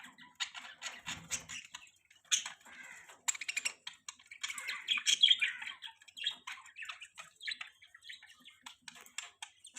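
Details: Budgies chattering continuously, a dense mix of clicks, squeaky chirps and buzzy warbled notes from more than one bird, with faint tapping in the background.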